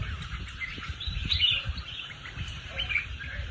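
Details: Caged red-whiskered bulbul kept as a competition songbird, singing short warbled, chattering phrases in bursts around 1.3 and 3 seconds over low rumbling background noise.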